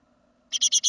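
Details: Great tit of a second brood leaving the nest, 2016: after a silent half second, four loud rasping notes follow one another rapidly, with a faint background hum.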